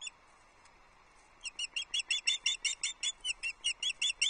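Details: Osprey chick begging on the Loch Arkaig nest on 9 July 2022 when breakfast is delivered: after a quiet second, a loud, steady run of sharp, high chirps, about four per second.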